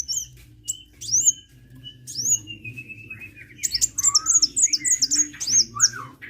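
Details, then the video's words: A sunbird called kolibri sings in lively fashion: high downslurred whistles, a long thin trill, then dense quick high chirping mixed with lower slurred notes, over a soft background hum. "KICAU BURUNG KOLIBRI GACOR"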